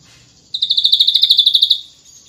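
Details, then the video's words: Ashy drongo singing in the rapid 'nembak rapat' style: one bright, fast trill of about fourteen pulsed notes, high and even, lasting just over a second before it stops abruptly. "Burung Srigunting Abu - Abu Gacor Nembak Rapat"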